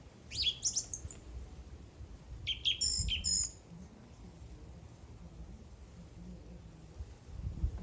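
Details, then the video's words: Bird gives two quick bursts of high chirping and twittering in the first few seconds, followed by quiet background noise with only faint activity. "The bird is singing."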